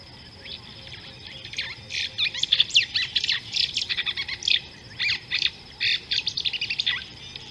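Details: Red-billed hornbill chick being fed by a parent at an African river, 26 June 2018: dense bursts of sharp chirps and squawks in quick irregular runs, over a steady high insect drone.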